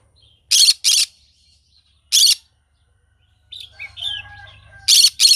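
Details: A green-cheeked conure in the morning gives harsh, buzzy screeches in short bursts, several about a second apart, then softer warbling chatter with a low hum behind.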